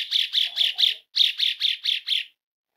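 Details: Asian pied starling calling, a sound used to coax starlings into lively song: two runs of harsh, buzzy chirps, four then five, each note rasping and evenly spaced, with a faint low rustle.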